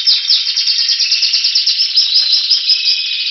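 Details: Spanish Timbrado canary singing while waiting for spring, recorded in February 2016 in Anavissos near Athens, Greece: a dense, continuous metallic trill of rapid repeated notes, bright and ringing throughout.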